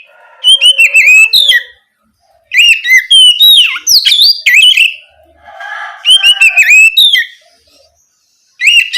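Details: Oriental magpie-robin singing in 'ngeplong' style at night, used as a lure to rouse spotted young magpie-robins into answering: loud bursts of clear, shrill whistled notes with quick up-down slurs and sharp chips, in phrases about a second long separated by short pauses.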